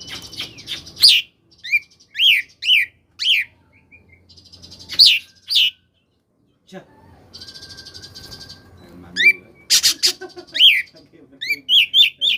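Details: Oriental magpie-robin singing in the 'koslet' style, used as a lure to make reluctant magpie-robins answer; sharp chirps and slurred whistles alternate with buzzy rattling passages and short pauses.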